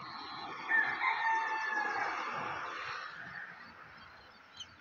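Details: Rooster crowing in a village as the sun rises, a drawn-out, rough, harmonic crow that fades over about two seconds, with faint bird chirps and rural background noise.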